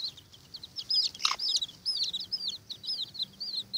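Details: Several Watermaal bantam chicks fight over an earthworm, giving quick, high, upward-flicking peeps in a steady chattering stream, broken by one sharp rustling scrape.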